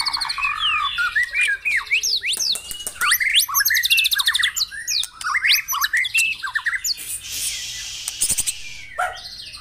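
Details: Varied White-rumped shama song meant to trigger caged birds to sing in the morning: dense medley of sweeping whistles, sharp upslurs, buzzy trills and clicks delivered in a nonstop torrent, with a short hissing burst near the end.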